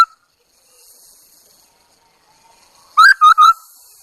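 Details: Chinese hwamei decoy singing: after near silence, a single brief phrase of three loud, clipped whistled notes at steady pitch.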